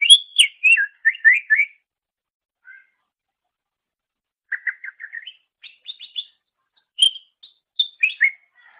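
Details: Greater green leafbird song used as a master recording for training songbirds: bursts of varied whistled and chirping notes, rapid descending phrases and quick trills, separated by pauses, in a clean recording with no other sounds.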